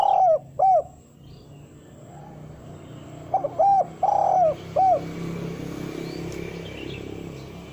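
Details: Spotted dove coo used as a lure call for wild doves: a pair of arched coos, then a phrase of short notes, a long rolling coo and a final coo, followed by steady low background hum.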